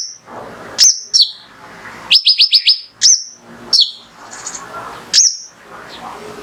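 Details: Mangrove whistler (konin) song meant to prompt other birds to sing: separated bright whistled notes dropping in pitch, one fast burst of five crisp repeated notes, with faint background murmur between phrases.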